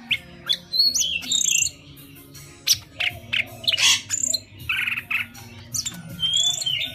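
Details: Vietnamese golden-fronted leafbird singing, its song used to lure birds into traps: a dense, varied stream of high chirps, squeaks and short whistles with buzzy bursts, over a steady low background hum.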